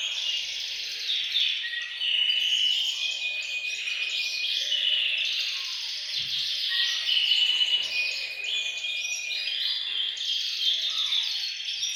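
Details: Several caged canaries in a bird room singing as a chorus used to encourage males to sing and condition females; continuous high, warbling trills and steady whistled notes blend without pause throughout.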